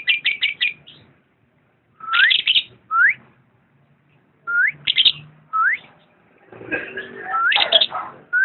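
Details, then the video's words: Lovebird calls: quick clusters of chirps alternating with single upslurred whistled squeaks, separated by short silences, and a final rougher burst of chatter. "Video kicau burung Lovebird"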